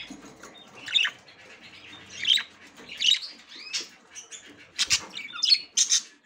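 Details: Budgerigar female inspecting the nest for the first time: scratchy squawks roughly every second, with brief slurred whistles between them and a denser run of harsh notes toward the end.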